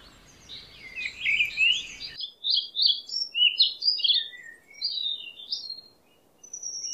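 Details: White-rumped shama song played to coax a stressed bird that will not sing into singing: a fast jumble of varied high whistles and chirps, continuous and energetic, with faint hiss at the start.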